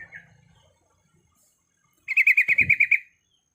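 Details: Breeding-condition female sooty-headed bulbul calling for males: after a faint chirp and a pause comes a fast chattering run of about nine bright, uniform notes, with a brief low thump partway through.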